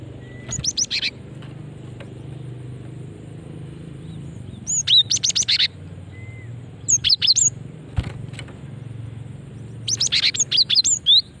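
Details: Female cinereous tit calling to draw in other birds: dense rattling bursts of very high, sharp chirps, each about a second long and repeated several times, over a low steady background hum.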